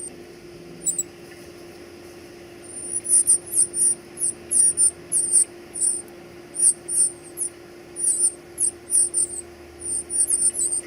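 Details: Baby birds calling while being fed indoors: rapid high, thin squeaky notes in bursts of two to four, repeated steadily over about eight seconds, with a low steady hum underneath.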